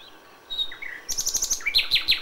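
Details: Common nightingale at dawn in May: after a soft pause and a few slurred whistles, a rapid run of sharp repeated notes speeds up into loud, evenly spaced chirps.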